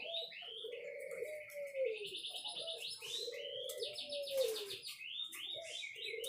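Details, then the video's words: Song of a white-rumped shama, a busy stream of bright rising whistles and rapid trilled phrases, with a low, arched cooing note repeating about every two and a half seconds beneath it. "Kicau Murai Batu"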